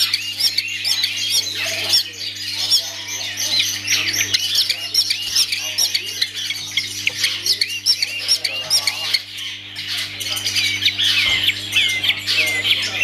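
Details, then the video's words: Owned long-tailed shrike delivering a long, unbroken torrent of shrill chattering, squeaky whistles and harsh notes, varied and hurried throughout, with a faint steady mechanical hum in the background. "Aksi Cendet"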